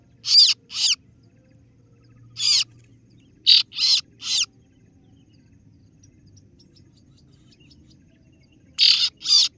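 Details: Kaso-kaso bird (singo barong) rival-luring call, 'ciet ciet', delivered sparsely: raspy noisy notes in pairs and a trio, with long quiet stretches between.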